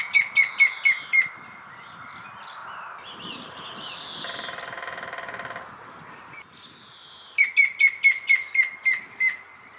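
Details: Grey-headed woodpecker giving two bouts of clear, evenly spaced whistled notes, six to eight in each series, separated by several seconds of hissing background noise and faint other sounds.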